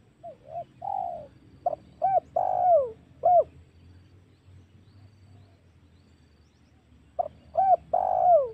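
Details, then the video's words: Repeated spotted dove lure call used in hunting wild doves: mellow coo phrases with a long descending note, a gap of about four seconds, then the phrase returns, with low rumbling background. "SUARA PIKAT MEMANCING EMOSI SEMUA TEKUKUR//COCOK UNTUK BERBURU"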